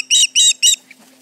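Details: Three loud, high, harsh whistled notes from an osprey alarmed by intruders near its Charlo nest, 29 July 2019, late morning, followed by a soft chirp and quiet with a faint low hum.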